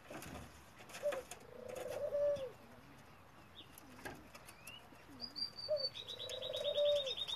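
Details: Male F1 Ringneck dove and European Turtle Dove hybrid, bred in Italy, giving two low, purring pulsed coos, each opened by a short note, while a small bird adds high thin whistles and a rapid trill late on.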